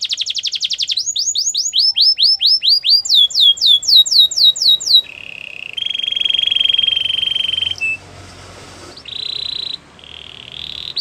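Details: Canary performing a training song: quick rows of sweeping whistled notes in several pitched series, followed by long low rolling trills, a pause and two short sustained tours.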